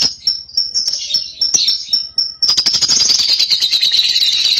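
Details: Lovebird of the cobalt colour form, young bird, giving ngekek song meant to spur another lovebird to sing: high chattering notes then a long continuous rapid buzzy trill, dense and shrill.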